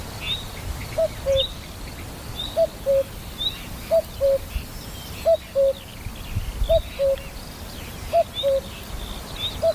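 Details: In spring in France, a common cuckoo that has just returned from wintering in Africa gives its soft two-note 'cu-coo', the second note dropping lower, about every one and a half seconds, while small birds chirp faintly overhead.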